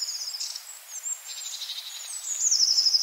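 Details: Long-tailed tit in a yard at Joroinen, Finland, giving very high, thin, rapid see-see-see notes in short bursts, with softer buzzy trills in between, over a faint background hiss.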